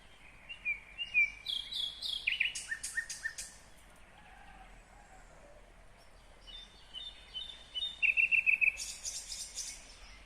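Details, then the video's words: Nightingale in full song in Kyrgyzstan, 2020. It opens with whistled slurs and sharp clicking strokes, pauses, then delivers a fast trill of short repeated notes followed by a dry, buzzy burst. "Незабываемое Пение соловья / Chill out Nightingale Singing / Булбул уну / Булбул овози"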